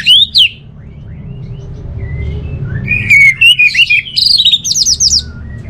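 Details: Orange-headed thrush song of clear rising whistles leading into loud, fast, repeated buzzy and chattering notes, with faint low hum underneath.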